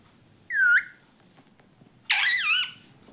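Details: Pet parrot talking indoors: a short rising squeaky whistled note, a pause, then a longer harsh harmonic squawking phrase that wavers up and down.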